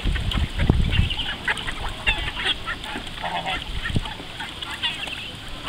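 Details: Call ducks going for their morning swim, giving a rapid, irregular stream of harsh, nasal quacks that overlap one another, with low rumbling noise underneath.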